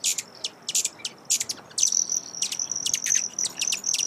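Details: Broad-tailed hummingbird: bursts of sharp high chips, then a sustained thin high tone broken by quick repeated chip clusters.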